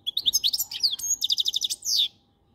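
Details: Dense goldfinch twitter: rapid high chirps and slurred notes in a quick jumble, closing with a drawn-out buzzy note.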